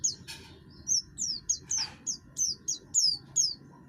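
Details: Buxtoni oriental white-eye with a coarse voice, kept to spur other birds into song. Shrill, downward-sweeping chirps come about twice a second, broken by a couple of short noisy rasps.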